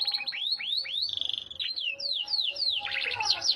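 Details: Yorkshire canary song made of repeated upward-swooping whistles, a short sustained note, then descending slurred notes and a dense rapid trill at the end, with a faint steady background hum.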